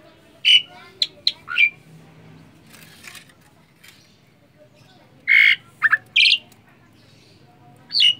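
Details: Asian pied starling, a talkative caged bird reluctant to bathe, chattering instead: harsh, squawky notes in short bursts, a cluster of three to four near the start and another group after five seconds, then a single call at the end, quiet room between.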